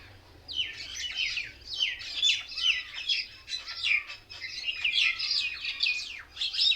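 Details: Many mynas crowded into one tree keep up loud, unbroken chatter of scratchy chirps, squeals and short whistles, a lively chorus the recordist likens to birds mocking one another.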